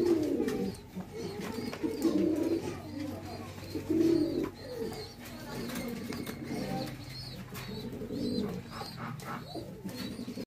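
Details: Archangel fancy pigeons give low, throaty rolling coos in bursts every couple of seconds, with overlapping cooing from several birds in an enclosed space.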